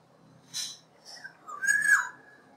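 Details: Black-naped oriole singing outside a bedroom: a short downward-sliding whistle, then a louder fluty, slurred whistled phrase that falls at the end. Brief hissy bursts of noise come before the song.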